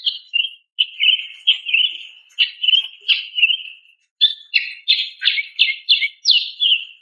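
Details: Calling female greater green leafbird, meant to draw a male and soothe stressed birds: repeated slurred chirps about once a second, then after a brief pause a faster string of sharp, ringing notes.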